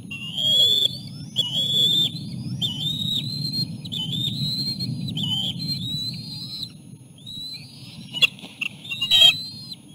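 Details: Osprey at a nest as an adult male delivers a small fish and feeds the chicks; a series of loud, thin, rising whistled notes, each slurred upward, repeated in quick succession over steady low wind rumble.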